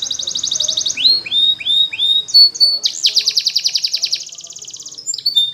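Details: Young canaries' training song from a Belgian canary: a buzzy high roll, descending slurred notes, a held whistle, then a long fast pulsed trill shifting into a finer, quicker rattle.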